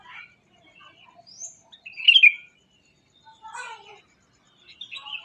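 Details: Morning bird sounds: scattered short chirps and twitters, one louder burst of sharp notes near the middle, with quieter rough chattering later.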